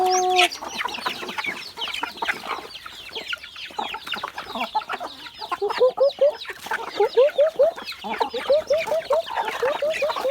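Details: A flock of chickens clucking and chattering while being fed chopped banana stem on a hot day, with short rising notes repeated in quick runs and dense pecking noise; other birds join in to share the food.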